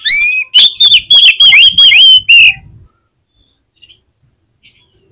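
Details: Energetic oriental magpie-robin song meant to spur other magpie-robins into singing: loud ringing whistles and quick downward-sweeping notes in a fast burst, then silence with a few faint distant chirps.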